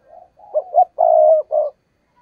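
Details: Lure spotted dove, a caged decoy used to trap wild doves, cooing close up: a soft lead-in, two quick clipped notes, then a long rolling coo and a final shorter one, all within two seconds.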